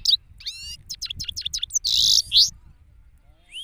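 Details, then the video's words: ['Male European goldfinch in the open, Pakistan: a few quick twittering notes and chips, a harsh buzzy burst, then quiet with one last rising note.'] "Male Goldfinch singing from Pakistan"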